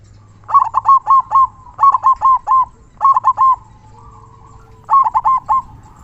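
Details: Local zebra dove in energetic 'kung besar' (big kung) singing style, used as a tutor for quiet doves: four bursts of quick rolling, bubbling coos, each of four to five notes, separated by short pauses, with a faint low hum behind.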